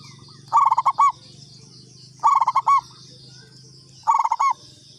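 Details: Lure call of a local katuranggan zebra dove: three loud phrases, each a rapid stutter of clipped notes closing on a held note. Phrases come about every two seconds over a low background hum.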